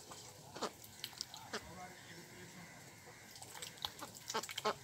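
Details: Ducks at a pond, with mandarin ducks, mallards and Pekin ducks present, give short, nasal quacks at irregular intervals, several bunched together near the end, over a steady low background hum.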